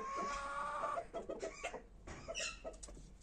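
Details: A Kashmiri desi chicken pair with red jungle fowl plumage: a steady drawn-out tone for about a second, then a run of quick, uneven clucks, roughly three per second.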